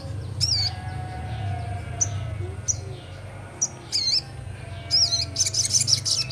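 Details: Young sogon singing in full ngleper style: short sharp high chirps and twisting whistled notes spaced a second or so apart, closing in a denser burst, over a steady low mechanical hum.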